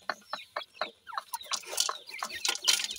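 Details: A francolin family with chicks: sharp, short, descending peeps repeat a few times per second, with soft low clucks beneath and bursts of rustling toward the end.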